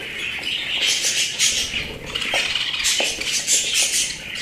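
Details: Pet budgerigars chatter in harsh high warbles with scattered clicking taps, the flock noise pulsing louder and softer.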